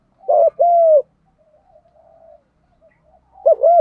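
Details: Đồng-style cooing by spotted doves, meant to push newly caught birds to coo; one short note and a long falling coo, a faint murmur, then a fresh double note beginning.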